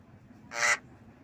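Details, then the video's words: Javan myna practising a mimicked cough while nodding: one hoarse, broadband rasp lasting about a quarter second, loud against a soft low hum. "Jalak kebo Manggut Belajar Batuk"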